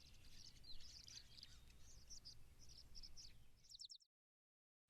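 Sparrows chirp in quick, high, overlapping bursts for about four seconds, like a small busy flock, over a steady low rumble of background noise.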